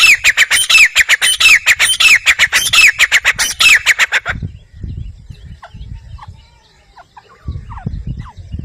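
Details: Grey francolin (teeter) giving a loud, rapid series of ringing calls, sharp notes with rising-falling inflections repeated quickly for about four seconds, then quieter background with low rumble and faint distant birds.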